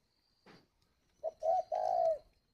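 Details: Kept spotted dove in Ba Vì district, Hanoi, Vietnam, cooing in the 'gáy gọi hậu' style: a soft thump, then a short hoarse note and a longer, smooth, steady coo, clear and close.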